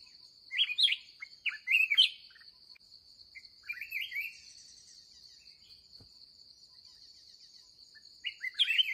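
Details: Aggressive wild red-whiskered bulbul encountered while trapping at the end of the day, singing lively chattering whistled phrases in clusters, falling quiet for several seconds before a final loud burst. A persistent high insect drone continues throughout.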